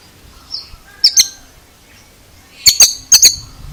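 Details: Oriental magpie-robin (kacer) producing an unusual sound: a soft high slur, then a pair of sharp, piercing clicks, followed by two more tight double clicks near the end.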